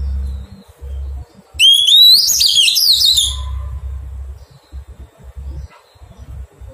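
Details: A single song phrase from a wild-caught Oriental magpie-robin during taming: a rising whistled start leads into quick, warbled high notes for about two seconds, over a low background hum and soft knocks.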